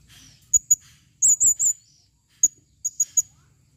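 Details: Female blue-crowned hanging parrot calling with shrill, very high squeaks, single and doubled, plus three longer wavering notes in a row, in quiet surroundings.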